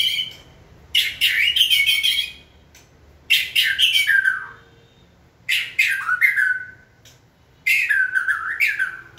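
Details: White-rumped shama in song training, prompted to sing: four vigorous bursts of loud warbling, one about every two seconds, mixing harsh buzzy notes with downward-slurred whistles.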